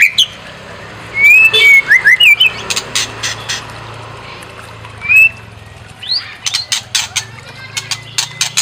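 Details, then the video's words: White-rumped shama, used to provoke singing and a full repertoire: a quick burst of bright whistled and warbled notes, then harsh chacks, a lone rising whistle, and a closing string of dry clicking calls. "Pancing EMOSI MURAI BATU BONGKAR ISIAN"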